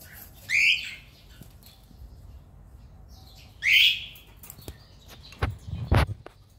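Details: Two harsh rising cockatiel chirps about three seconds apart, then sharp clicks and thumps, likely cage or movement noise.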